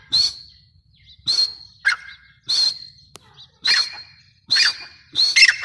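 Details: Grey francolin (teetar) repeating loud, shrill, rasping notes at a steady pace of about one per second, with brief lower husky notes in between and little other sound.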